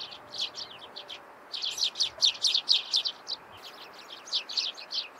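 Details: Rapid chattering of Eurasian tree sparrows at morning time: quick high chirps tumbling out about two per second in lively bursts, with a brief pause in the middle.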